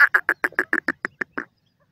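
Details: Francolin (teetar) in a chick-feeding setting: a quick run of about ten harsh, nasal, rasping notes, evenly spaced and slightly slowing over one and a half seconds, then silence.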